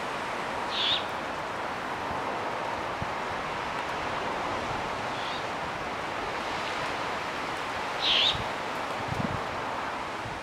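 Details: Great horned owl owlets on Strawberry Island, Golden Gate Park, San Francisco, at dusk in spring or summer: two short raspy, hissing screeches about seven seconds apart, with a fainter one between, over a steady hum of distant traffic.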